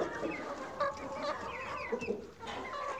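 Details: Chickens on a farm cluck in short, uneven bursts of mid-pitched notes, several birds overlapping against a steady farmyard hiss.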